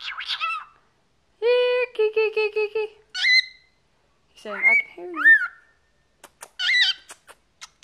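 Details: Male pet cockatiel, 14 years old, chattering indoors: a series of whistled and harmonic calls, some rising, some falling, with short repeated notes and clicks, while a person talks to it nearby.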